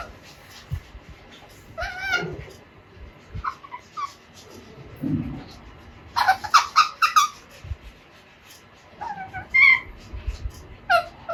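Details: Pet Alexandrine parakeet, a baby two and a half months old, learning to talk. Scattered squeaky, falling calls and chattering bursts are broken by quiet gaps and low thumps indoors.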